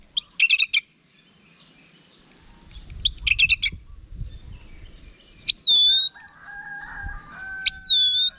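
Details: Orange-headed thrush song used as a vocal tutor for kept birds: short bursts of sharp stacked notes and bright rising-then-falling whistles, separated by pauses, with a steady low hum in the middle.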